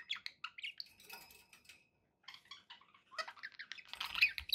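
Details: Pet budgies chattering in a continuous stream of short chirps, clicks and buzzy warbles, with a sparser middle stretch and a busy, noisy burst of overlapping notes at the close.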